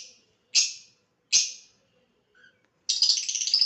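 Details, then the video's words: Pet lovebird in a playful mood: two sharp, harsh chirps spaced under a second apart, then a longer rapid chattering, raspy burst. "my super cute lovebird funny mood whistling"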